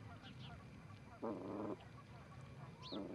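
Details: Canada geese, two visiting an osprey nest at Charlo, Montana, on 7 April 2018, filmed by a live nest camera: a single loud harmonic honk lasting half a second, a second honk starting at the end, faint chirps of small birds behind.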